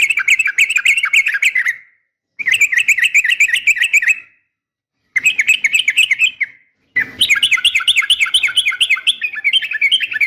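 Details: Fighting call of a female yellow-vented bulbul calling a male, played to spur caged birds in morning and afternoon training: four dense chattering bursts of bright, hurried notes separated by short silences.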